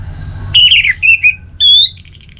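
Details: Orange-headed thrush (Geokichla citrina), a bird kept in North Bali, sings a brief run of clear, high whistled phrases, one falling, then a short slurred note and a rising whistle, over quiet background hum; used as a lure song.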